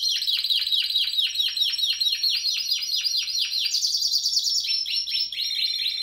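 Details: Singing Spanish Timbrado canary (2017 bird) delivers fast repeated downward-sweeping notes, about two per second, shifting to a slightly higher bright rolling phrase partway through.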